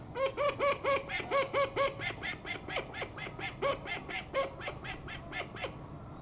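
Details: Five call ducks gathered before a manager's room door, apparently hungry and waiting for food. They give loud, nasal, rapidly repeated quacks, about two per second, that grow fainter and more ragged toward the end.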